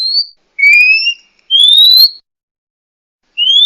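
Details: Oriental magpie-robin (murai kampung, murai cacing) giving clean, steady rising whistles, each about half a second long, with short pauses between them.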